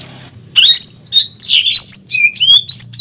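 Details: Caged greater green leafbird, in constant song with pelatuk bawang filler for training other birds: loud, clear, sweeping whistles climbing and dipping in quick succession, each phrase about half a second long.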